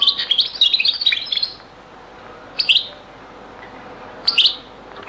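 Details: Very old recording of European goldfinch song in the Beni Messous 'les avocats' style. It opens with a fast run of tinkling, twittering notes, then two brief high chirped phrases spaced about two seconds apart.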